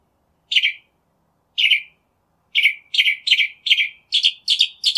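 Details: Northern mockingbird uttering scratchy chirps, two spaced out, then a fast series of six similar notes that speed up toward the end.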